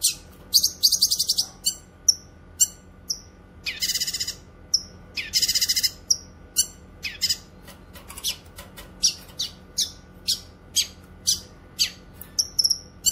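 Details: Cucak kinoy (Grey-cheeked Bulbul) singing at length for song training and luring wild birds: fast rattling trills and harsh raspy bursts early on, then evenly spaced sharp chirps about every half second.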